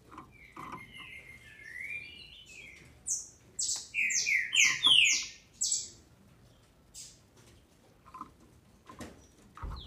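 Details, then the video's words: Captive female green-winged saltator in Brazil, sound used to stir up males: faint chirps, then a loud cluster of quick, high, descending slurred notes mid-clip, followed by softer scattered calls against light background noise. "FÊMEA DE TRINCA FERRO para ENLOUQUECER seus trincas"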